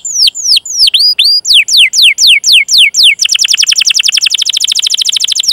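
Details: Canary training-lure song: spaced, ringing forked chirps, then a run of falling whistled sweeps, breaking into a fast, even, buzzy roll of tightly repeated notes for the last few seconds.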